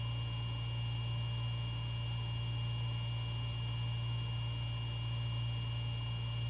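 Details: A steady, unbroken hum with a strong low drone and fixed higher tonal bands, resembling engine or equipment noise, with no calls or other events for the whole stretch.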